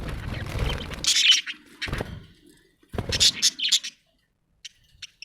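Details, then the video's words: Happy budgie making bursts of bright, scratchy chirps and warbled chatter, mixed with low rumbling noise at the start and a few faint ticks at the end. "happy budgie chirping sound"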